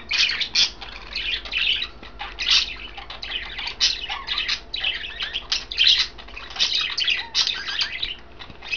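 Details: Budgerigars kept as pets, three of them in green, blue and white plumage, chirp over kale; a steady stream of quick clicking twitters and scratchy warbles, rising and falling in loudness.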